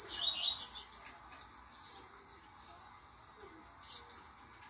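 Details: Young blue-black grassquit, two months old, in song training, starting its early churria song: a short burst of thin, high chirps and twitters in the first second, then near silence until another brief faint high chirp close to the end.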